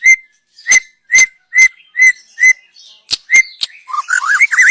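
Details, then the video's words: Young wild white-rumped shama, used as a lure: six clear whistled notes repeated at a steady pace about every half second, mixed with sharp clicks, then a rapid wavering warble at the end. "Kicau burung MURAI BATU Muda Hutan. Cocom untuk pancingan"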